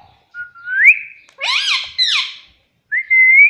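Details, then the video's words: Pet parrot praised for its sweet voice and for saying "mummy papa": a smooth rising whistle, a burst of loud raspy squawks with falling tones, then another clear steady whistle that climbs slightly. "मम्मी पापा बोलता बातूनी तोता || parrot sweet voice"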